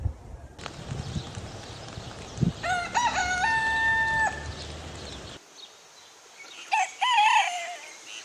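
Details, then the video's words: A rooster gives one loud, drawn-out crow that rises, holds a long level note, then breaks off; a second, shorter crow follows amid background noise. "ROOSTER CROWING COMPILATION - rooster sound effect"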